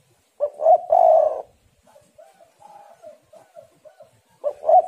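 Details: A female spotted dove calls to stimulate males: one loud stuttering coo with a long final note, a run of soft, low, evenly spaced notes, then the start of the next coo.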